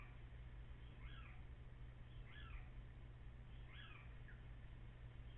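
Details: Little owls before dawn on 14 April, after 04:56, possibly two birds calling together, recorded by a camera with echo: three short mewing, downslurred calls at steady intervals of about one and a half seconds over a constant low hum.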